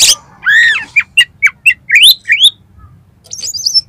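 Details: Kacer, the Oriental magpie-robin, singing as a lure to make another kacer sing and fan its tail: a harsh wavering note followed by a rapid run of short upslurred whistles and high trills.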